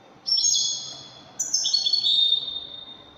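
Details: European goldfinch, described as Widani goldfinch, singing: two bright, high, buzzy phrases, each a run of rapid, slightly twittering notes, the second starting higher and stepping down, with a faint background hum.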